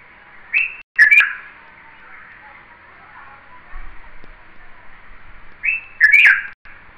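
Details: Red-vented bulbul giving two short, bright, chirpy call phrases about five seconds apart, each a quick burst of slurred notes, against a faint steady background hiss with soft clicks.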